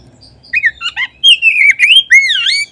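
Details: Oriental magpie-robin song serving as a lure to trigger singing in other magpie-robins: soft notes, then loud wavering whistles sliding up and down, ending in a rich descending swoop.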